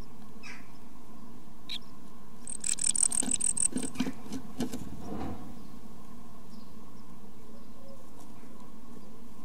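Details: Great tit nestlings being fed by their parents give a brief burst of thin, very high, rapid begging chirps over a steady low rumble and a few knocks.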